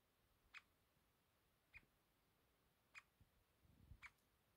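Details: A Eurasian three-toed woodpecker foraging on a dead pine gives four short, sharp 'kip' notes, about one a second, against a quiet, faintly rumbling background.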